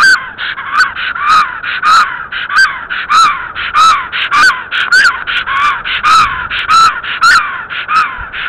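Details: Black stork female returning to her nest in Estonia on 17 April 2014 at 12:47, filmed by nest webcam, calls loudly in a steady series of hoarse, rising-and-falling notes, about two per second, with a wheezy, harmonic edge.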